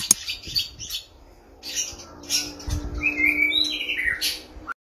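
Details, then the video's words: Male white-rumped shama in a compact stacked breeding cage courting a female, giving harsh scratchy bursts and then a brief sliding whistled phrase before the sound cuts off. "Murai Jantan Ngrayu Kawin"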